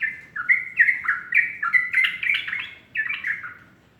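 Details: Sooty-headed bulbul in morning song, giving a steady chain of liquid, stepped whistles that rise and drop, about three notes a second, with a short break before a final cluster.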